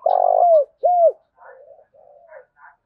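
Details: Lure recording of a spotted dove, meant to provoke wild doves: a long rolling coo sliding downward, then a clear arched coo, followed by softer, quieter cooing notes.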